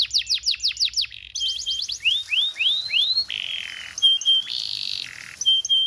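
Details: Tutor song of a canary for training young birds: a rapid burst of high slurred notes, then evenly spaced rising arched whistles, ending in sustained steady whistled tones.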